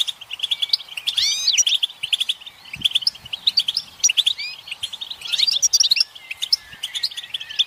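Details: European goldfinches in group chatter, the mating and readiness calls said to set males singing; fast liquid twitters and a few sweeping slurred notes overlap continuously, with faint low knocks.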